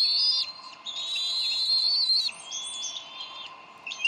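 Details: Bald eagle pair at the Decorah nest, 30 May 2012, arguing over a fish; long high whistled notes hold steady, then break into shorter, softer squeaky phrases.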